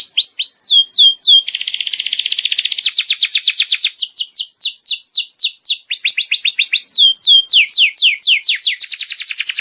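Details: Long canary song played to tutor juvenile canaries: fast whistled sweeps alternating with extended rapid buzzy trills, continuous and high-pitched throughout.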